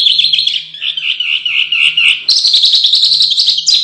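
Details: Canary song for training contest birds: a sustained rolling warbled trill, then a sudden switch to a higher, rapid buzzy trill; a low hum is audible in places.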